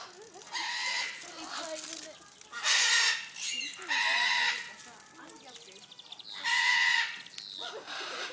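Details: Vulturine guineafowl at a zoo park in Kanagawa, Japan, giving loud, harsh, nasal bursts about a second long, repeated every one to three seconds, over low human voices.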